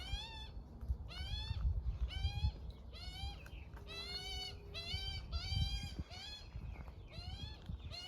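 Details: Morning feeding of a baby Australian magpie by its mother: repeated strained, nasal squealing calls, each rising and dropping, coming in quick bursts, mixed with low thumping and rumbling noises close by.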